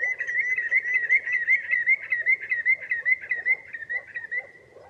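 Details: Common greenshank giving a fast run of clear whistled notes, about two and a half per second, steady in pitch and evenly spaced, over a low murmuring chatter of other calls beneath.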